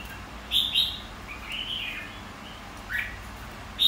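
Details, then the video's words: Competition song of a red-whiskered bulbul, used to stir white-cheeked birds into contest singing: two sharp whistled notes, a longer slurred rising-falling phrase, then a brief dropping note and a final clipped call. "Kích chào mào hót đấu.. Kích má trắng hót.. Luyện má trắng hót đấu"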